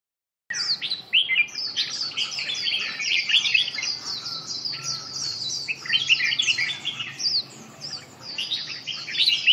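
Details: Red-whiskered bulbul in a lively, continuous warble of bright chirps and quick rising and falling whistled notes, dense and fast throughout.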